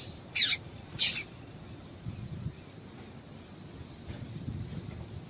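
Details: A female yellow-bellied seedeater calls to excite males, as breeders do before song tournaments; two bright, high chips about half a second apart, then near silence with one faint tick and low background rumble.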